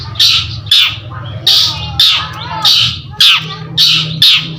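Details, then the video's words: Long-tailed shrike, a singing bird kept by hobbyists, giving harsh broadband squawking notes about every half second, each a rough burst centred high, with a low steady hum underneath. "CENDET GACOR || PANCINGAN BUNYI"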